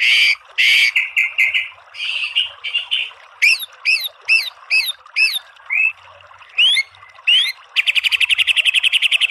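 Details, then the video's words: Energetic white-rumped shama song: harsh broad squawks, then a series of upslurred whistles repeated about every half second, closing with a rapid, even metallic trill. "MASTERAN MURAI BATU full TEMBAKAN biar EMOSI NYAUT jadi BUNYI GACOR BONGKAR ISIAN"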